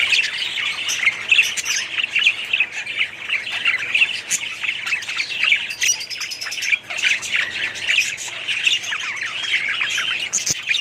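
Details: Many budgies in a colony calling together, a lively mix of bright chirps, rapid warbles and harsh squawks overlapping throughout, with a sharp click near the end.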